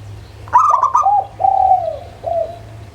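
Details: Zebra dove, local type: a fast stuttering burst of high notes, followed by a long smooth coo falling in pitch and a shorter closing coo. Faint hum underneath.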